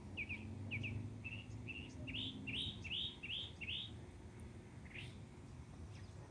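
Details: Mockingbird serenade: a run of short, bright, rising-and-falling chirps repeated in quick bursts, a few phrases close together then a pause, over a low rumbling background hum.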